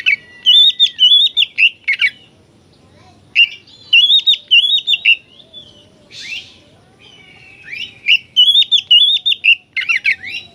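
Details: 'Gacor' oriental magpie-robin song, meant as therapy to make kacer aggressive and spread their tails: three bursts of rapid, looping whistled phrases mixed with scratchy notes, separated by short pauses, plus one brief harsh rasp.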